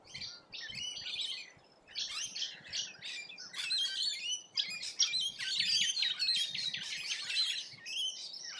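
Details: A flock of rainbow lorikeets feeding in Australia, keeping up a dense, continuous chatter of harsh screeches and squeals that grows louder toward the end.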